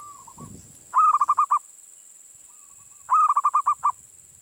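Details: A local wild-caught young zebra dove sings a soft introductory coo followed by a quick run of six or seven bubbling, rolling coos, given twice about two seconds apart; the song is used to prompt other zebra doves to sing.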